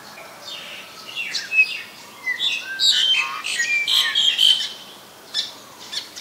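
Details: In Ubon Ratchathani, Thailand, on 2 January 2020, a black-collared starling delivers rough, noisy bursts punctuated by sharp whistled squeaks, most intense in the middle before a short pause and a final burst.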